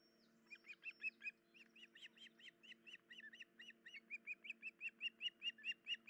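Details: An injured adult female osprey at her nest with chicks, 10 July 2019, gives a steady run of sharp, whistled chirps, a little over two per second, over a low electrical hum.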